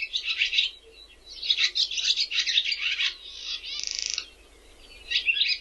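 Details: A barn swallow, back in spring from warm lands, sings its soft, melodious greeting to spring: a fast, scratchy twittering warble in bursts, with a dry buzzy rattle near the end, then more chatter.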